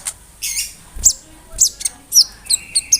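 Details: A konin's imitative song, meant as a master for other songbirds: short scattered high chips and bright whistled notes at about two per second, with a brief thin sustained tone near the end.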